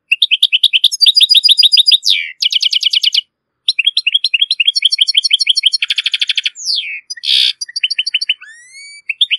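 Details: Long phrase of strong, error-free European goldfinch song used to teach goldfinch and hybrid chicks: rapid liquid twitters, dense buzzy trills, a descending slur, a harsh burst and rising whistled notes.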